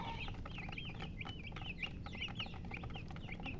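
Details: Several young chicks call together, each peep a brief bright down-slurred whistle, rapidly repeated and overlapping, against steady low-pitched background noise.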